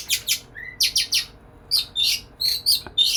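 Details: White-rumped shama singing lively to court a female: paired harsh, high buzzy notes alternating with a single clear lower whistle, then short ringing whistled bursts.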